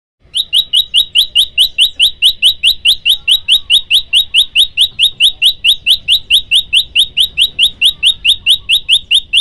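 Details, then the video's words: A male olive-backed tailorbird in full, constant song gives a long run of sharp, high, identical notes, about four a second at a steady pace, over faint low hum. The recording is meant as a lure or training song for other tailorbirds. "pj lumut jantan gacor"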